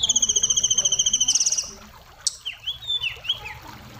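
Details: Kacer song in isian style: a loud, fast, even rattling trill for about one and a half seconds, followed by softer scattered down-slurred notes.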